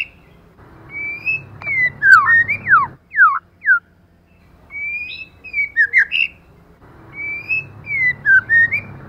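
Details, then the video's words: Lure female white-rumped shama giving runs of sliding, twisting whistles and quick falling notes in bursts, partly over a low rumbling background. "CHOÈ LỬA MÁI.choè lửa trống + mái kích lửa.choe lua mai.pancingan murai batu.lửa mái mồi."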